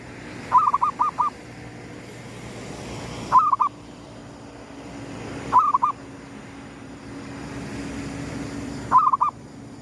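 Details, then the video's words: Zebra dove cooing at daybreak in the 'gedong mengo' lure style: four phrases of short, stuttering coo notes, the first longest with about five notes, separated by two to three second pauses over low hum. "suara pikat perkutut gedong mengo,manggungnya pas menyongsong mentari terbit"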